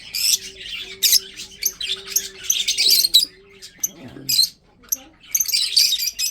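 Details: Budgerigars in a breeding setup give rough, warbling chirps and squawks in bursts, with a steady low hum behind and a brief rustling noise near the middle before the chatter resumes.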